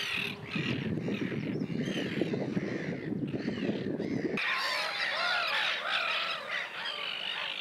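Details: Common terns in Russia give harsh, grating, downslurred calls, many overlapping in a busy chorus; the first half is mostly low wind rumble.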